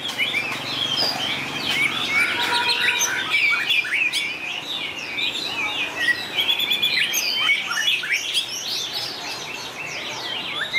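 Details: White-rumped shama singing in a contest, with long varied song turns: dense, overlapping runs of rich whistles and sharp slurred notes, some rising, some falling, pouring out continuously for eleven seconds with no pauses.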